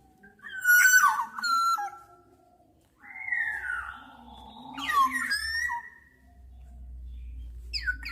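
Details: Black-naped oriole giving fluty whistled notes that slide and drop, then a longer, lower, wavering whistle after a pause, with a faint low hum underneath.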